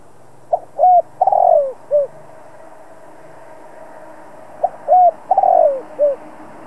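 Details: Decoy spotted dove cooing to provoke other doves into calling: two phrases of soft, low, hollow coos, each a short note, a longer wavering coo and a falling final note, separated by about three seconds of quiet.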